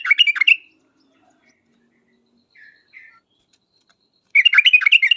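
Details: Sooty-headed bulbul chattering in a lure recording intended to provoke replies: a quick burst of bright chirping notes, two soft quiet calls during a pause, then another rapid chirping burst.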